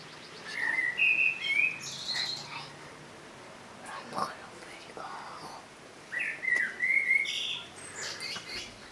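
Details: Two mellow whistled blackbird phrases, each a rising and falling warble followed by a squeaky high flourish, separated by a pause of about five seconds with faint twittering.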